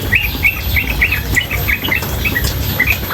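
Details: Female sooty-headed bulbul calling nonstop over running water; short bright chirping notes around a steady high pitch come in quick uneven bursts, about three per second, over a constant low rushing water sound.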